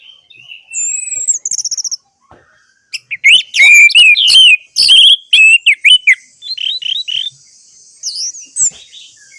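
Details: Orange-headed thrush song used to coax silent birds into singing. High whistles open it, then a pause, then a rapid burst of varied whistled and chattering notes, about two or three a second, fading into softer high twitters.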